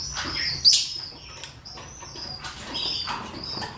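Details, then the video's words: Rosy-faced and Fischer's lovebirds, males and females, giving mating calls: one sharp, shrill shriek early on, then overlapping high, thin chirps and twitters from several birds. "نداءات ذكور وإناث طيور الروز والفيشر من أجل التزاوج"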